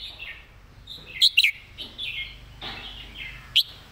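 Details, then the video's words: Red-whiskered bulbul master song, here sparse: a few soft warbled phrases around two short, loud, bright whistled notes, with a single sharp upslurred note near the end. "เพลงดี"ปากไว เดินเพลงย้ำๆ เพลงแม่บท"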